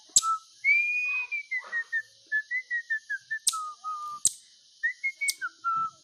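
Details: Pet bird singing a long whistled phrase: a rising then falling slide, a quick series of short pure notes stepping down, lower held whistles and more short notes, broken by several sharp clicks.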